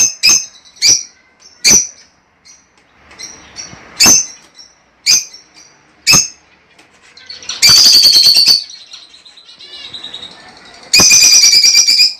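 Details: Captive lovebird sounds used to prompt egg laying in a female: sharp, high single chirps spaced irregularly, broken by two loud bursts of dense, screechy chattering near the end.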